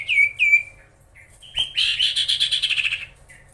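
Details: Common iora (sirtu/cipoh) in vigorous song aimed at rival birds: two bright falling whistles, a pause, then a loud buzzy rattling trill of fast pulses fading away.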